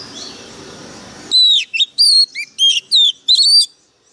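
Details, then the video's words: White-rumped shama bursting into song: a strong whistled opening note followed by a series of sharp, looping, rising and falling whistles, loud and clear against a quiet background. "Chòe than mồi căng lửa bắn giọng cực gắt"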